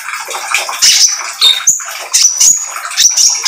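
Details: Energetic oriental magpie-robin of the trotol type, its song used to lure other magpie-robins into singing: loud, varied, rapid phrases of high whistles, buzzy chatters and sharp sweeping notes pouring out almost without pause.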